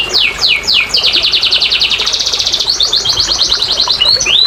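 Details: Lure song of a canary meant to coax silent canaries to sing: three sharp descending whistles, then a long rapid chattering trill, ending with short rising notes.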